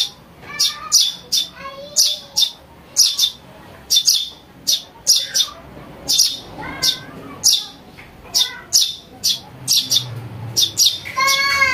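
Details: Young house sparrow, recorded as lure sound for catching birds, giving a rapid series of shrill chirps in irregular runs of two or three, with brief faint whistled notes in between and little background noise.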